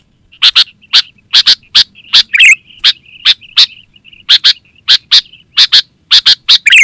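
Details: Energetic sooty-headed bulbul, used for luring wild birds in forest and as a training model for kept bulbuls, gives a steady stream of sharp paired chips with two short gurgling phrases, over a faint constant high hum.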